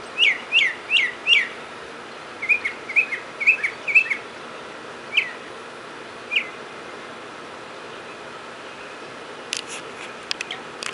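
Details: Mockingbird song outside a door, 31 March 2010: four quick downslurred notes, a softer group of five lower warbles, then two isolated chirps fading to quiet with faint clicks at the end.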